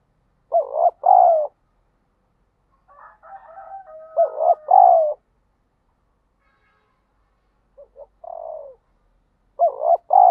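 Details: Spotted dove kept as a lure and fighting-provoker, repeating its paired coo phrase three times with soft muttering and a quieter short coo between, deep and hoarse.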